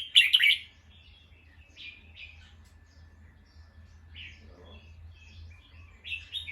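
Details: Bulbul alarm call after hearing a sound: a loud grating chatter burst first, then softer chirped notes over a low continuous hum.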